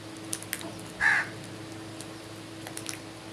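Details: A single short, grating crow caw in the morning, with faint clicks and ticks scattered around it.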